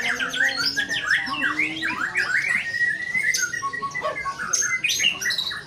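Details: White-rumped shama singing vigorously: a series of sharp up-and-down whistled slurs, sweeping notes and rapid chirps repeated in quick bursts, with a low sustained tone early on and overlapping birdsong behind.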